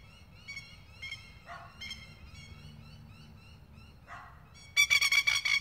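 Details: Masked lapwings (spur-winged plovers) at night in Queensland attack a stray and the recordist, giving faint harsh calls, then a loud burst of strident, rapid 'kek-kek' notes, about six in one second.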